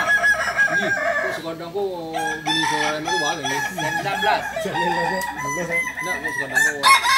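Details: Several Balenggek cocks compete in a Sunday crowing contest, landiak class, at Ampang Kualo in Solok city, their bouncing, wavering crows stacking into a continuous chorus with people faintly audible.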